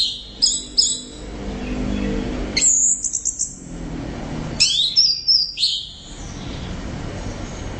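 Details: Loud, persistent orange-headed thrush song. Short clusters of high twittering, whistled notes come in three separate bursts, each with quick downward slurs, separated by pauses over a low background hum.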